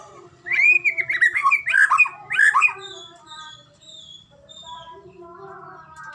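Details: White-rumped shama of the Medan type, recorded to coax other shamas into song: one dense burst of loud looping whistles, followed by softer drawn-out tones and faint notes.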